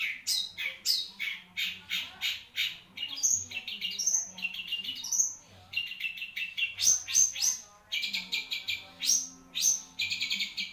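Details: Caged long-tailed shrike of the Marlboro type in long continuous song: rapid harsh chattering notes, buzzy phrases and high piercing whistles in a varied, almost unbroken stream.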